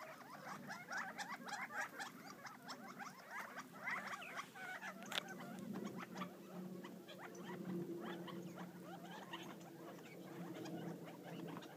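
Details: Several wild Gambel's quail feed near Florence, Arizona, uttering quick overlapping chips and twittering notes. A low steady hum runs through the second half, and a sharp knock lands near the middle.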